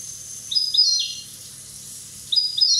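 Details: Corsican goldfinch aged one year giving two bright, thin twittering phrases of rising and sliding high notes, nearly two seconds apart, on a soft hum.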